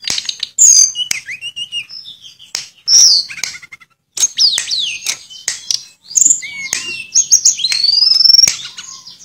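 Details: Tledekan, also called Sulingan, pouring out its varied song with imitated fill-ins: sharp high whistles, sweeping slurred notes that rise and fall, and quick chirps, with one short silence midway.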